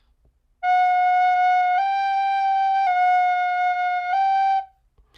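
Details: A flute plays four long, steady held notes that step slightly up and down, in a quiet room with no animal sound.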